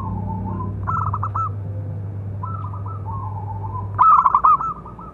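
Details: Zebra dove of a local strain with a strong voice, calling to provoke and train other doves: quieter rolling coos, then a loud, rapid, throbbing coo phrase near the end, with a steady low hum.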